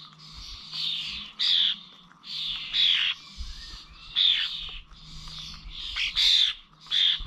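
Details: Common starlings at Corby old village feeders, 21 November: about nine rasping, screechy bursts of roughly half a second each, separated by short gaps, with steady softer chatter and a low hum behind.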